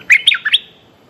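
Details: Streak-eared bulbul calling a mate: a quick burst of four bright, chirpy notes, sharp and slightly buzzy, over less than a second, then quiet.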